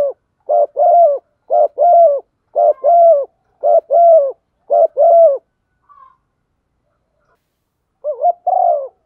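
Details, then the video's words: Female spotted dove prompting a male with a steady run of coos: seven evenly spaced two-part phrases, short note then longer hollow coo, a pause with a faint whistle, then one more phrase. "Tiếng chim cu gáy MÁI kích trống, chim cu mái thúc gù"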